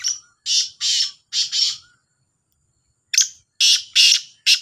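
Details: Two black francolins (kala Sindhi teetar) in a calling contest: a run of loud, rasping, scratchy notes in clustered pairs, a silent gap of over a second, then another burst of harsh repeated notes.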